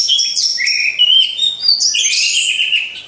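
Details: Caged orange-headed thrush in a row of hanging cages, singing to stir other birds: loud high warbles with drawn-out slurred whistles and a bright trill at the close.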